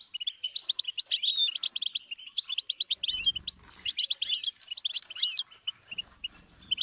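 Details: Continuous goldfinch song used to teach birds: rapid liquid twittering and buzzy trills, busiest in the first five seconds, then tapering to thinner chirps with faint low background hum.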